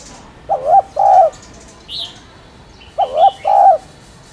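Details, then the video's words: Spotted dove cooing: two low two-part coos, a short wavering note then a longer hollow one, with a faint high chirp between them. "Tiếng Cu Đất Gáy , Cu Cườm Gáy Kích Bổi"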